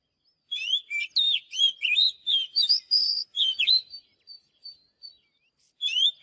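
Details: Oriental magpie-robin training song: a lively run of varied whistled notes and buzzy slurs, trailing off into a few thin, spaced high notes before a fresh phrase begins.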